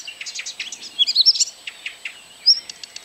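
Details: A singing Blyth's reed warbler, recorded 12 June 2011 at Kępiny Małe, Pomerania, Poland, gives a quick run of dry chattering notes mixed with clear, sharp whistles, over a thin, steady, high insect-like whine.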